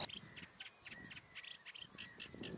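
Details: Eurasian reed warbler singing from a reed bed on a calm, nearly windless evening in the Hania polder, Nieuwe Dordtse Biesbosch, Netherlands: steady chattering run of short grating and squeaky notes mixed with brief whistles, faint background rustle.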